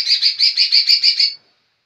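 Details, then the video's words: Young green leafbird singing actively: a quick series of seven bright, evenly spaced chirping notes over about one and a half seconds, then silence. "Cucak ijo muda super gacor"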